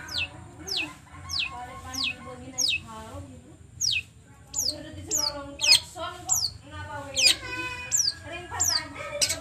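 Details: Long-tailed shrike song used as a lure to provoke singing: sharp, high notes sweeping steeply downward, several per second, over lower harsh, nasal, wavering phrases in a busy, scratchy stream.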